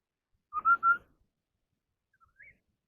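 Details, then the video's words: Chinese hwamei in a singing duel. A loud three-note level whistle is followed after a second and a half by a faint, short rising slurred whistle. "tiếng chim họa mi Đất hót đấu hay nhất"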